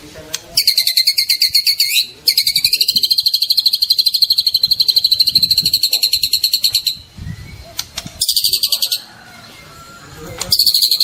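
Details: Young white-rumped shama singing often, meant to set silent birds answering: long harsh, buzzy rapid trills with a brief gap, later a shorter burst, over faint low background noise.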